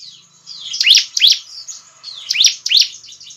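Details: Bar-winged prinia singing, used to lure birds: sharp high notes sweeping down in pairs, with faint thin whistles between, loud and close.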